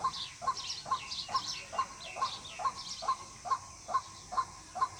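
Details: White-breasted waterhen call employed to lure birds for trapping: clipped mid-pitched notes repeating evenly, a little over twice per second, with high twitters from other birds in the background.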